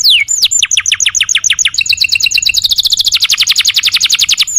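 A canary sings a fast, sustained song of bright, descending whistled notes that speed into rapid trills, high-pitched and continuous throughout.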